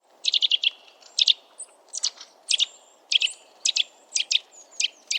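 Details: Eurasian nuthatch (Sitta europaea) recorded in the wild, giving loud piping calls: sharp, high notes in loose clusters of two to five, with short pauses between clusters across five seconds. A faint low background hum runs throughout.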